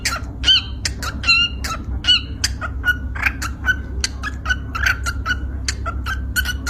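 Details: Yellow lovebird from Indonesia singing its sweetly described 'kuki kuki' song: rapid, sharp, harmonic chirps repeated roughly every half second, with a steady low hum and laughter from people nearby.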